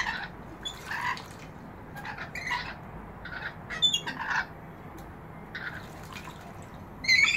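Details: Rainbow lorikeets bathing in a balcony bird bath, giving short harsh screechy squawks in scattered bursts, loudest near four seconds and at the end, over a steady hiss of background noise.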